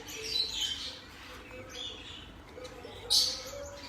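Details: Turquoise parrot (Neophema pulchella) chicks at a 2020 bird exhibition give high, raspy, hissing begging calls in three short bursts over a faint low hum.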